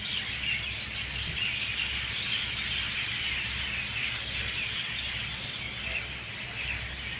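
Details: A dense, unbroken dawn chorus of mynas at 6:20 a.m., in full loud song, with many birds chattering and chirping at once in a shrill wash of sound and a low background rumble.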